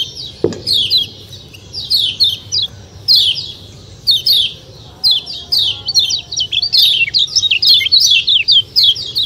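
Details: Kecial kuning white-eye giving a fast 'ciak ciak' chatter: sharp, high, downward-slurred chirps in quick irregular bursts with brief gaps, plus a single low thump near the start.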